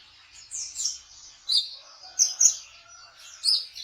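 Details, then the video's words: Sunbird, locally called kolibri ninja, singing in trotol style, used as a lure to attract konin birds for trapping: sharp high chirps and short trills in separated bursts, with quiet gaps between phrases. "Suara Burung Kolibri Ninja Trotol untuk Memikat Konin dengan Cepat"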